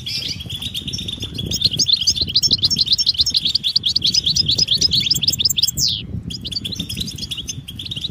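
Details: European goldfinch mating and readiness twitter to stimulate males' song: long, rapid series of bright chirps, about three to four a second, ending in a sweeping squeal, over low background noise.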